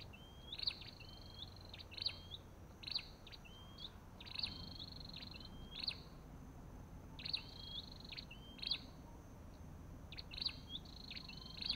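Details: Olive-backed tailorbird calling, a short rising whistle sliding upward paired with a sharp buzzy burst, repeated roughly every one and a half seconds over a steady low background hum.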